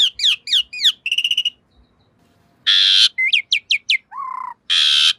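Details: Asian pied starling, called jalak suren, in a master recording for training cage birds. Falling chirps and a buzzy trill are followed by harsh broad screeches, quick rising whistles and a low bent whistle.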